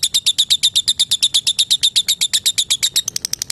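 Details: Lovebird trilling to call a rival: evenly spaced sharp, high chirping ticks, each with a bright whistled tip, speeding up and weakening in the last half second.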